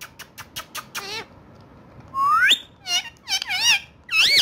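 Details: Playful pet parrot speaking Urdu/Hindi: a quick run of short clicking syllables, then a rising whistle-like phrase and several loud, warbling, harmonic voice-like phrases close together.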